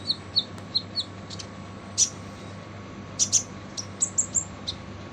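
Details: Kolibri ninja sunbird delivering harsh song meant to tutor other birds: pairs of short high chirps, then isolated sharp explosive notes and a closing burst of three quick piercing tweets, with low hum behind.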